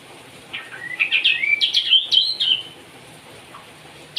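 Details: White-rumped shama singing in the 'nembak cigun' style: a rapid, rich run of rising whistles and chirping trills lasting about two seconds, then a pause and a final sharp note.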